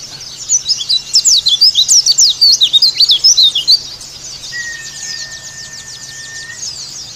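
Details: Bali dakun style song of the Indonesian white-eye, played as a lure and therapy to stir rival birds: a quick string of sharp, high chirps about every fifth of a second, then fainter twitters and a long flat whistled tone.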